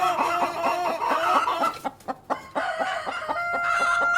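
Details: A cockerel and hens cluck in quick, regular pulses with sustained nasal cackles. The clucking dips briefly midway, then returns at full strength.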